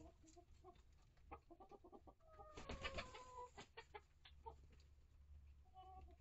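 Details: Mixed flock of mature hens and young chicks in a coop and run; scattered clucks lead into a long, loud, drawn-out harmonic squawk, followed by more irregular clucking and soft calls against a background hum.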